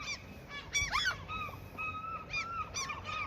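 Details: Several seagulls, given food so they will not attack near their territory, call in short arched yelps and a few longer level wails, overlapping at times, over steady outdoor noise.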